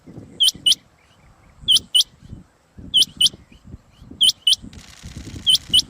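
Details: Rain quail call played to lure quail for trapping: high, sharp, paired notes like a double "whit-whit", repeated about every one and a quarter seconds, with low rumbling background noise.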